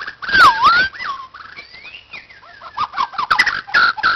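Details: White-crowned shama at a playground singing loud, rich whistled notes that swoop down and back up, followed by quieter varied slurred phrases and sharp clicks, ending with bright rising whistles.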